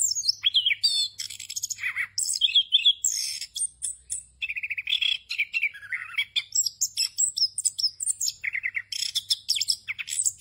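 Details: Orange-headed thrush delivering full ngerol song, a continuous roll of varied phrases used to teach other thrushes: ten seconds of quick warbles, buzzy trills and descending whistled runs shifting between mid and very high notes, over a faint hum.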